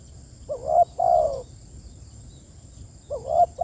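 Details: Spotted dove calling its companions: low, hollow coos in paired phrases, a short rising note followed by a longer sliding coo, the pair given twice about two and a half seconds apart over a quiet background.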